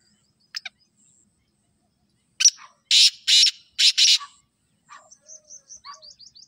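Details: Black francolin calling: a sharp opening note, then a harsh, grating phrase of three to four loud rasping bursts. Thin high chirps from a smaller bird come before and after.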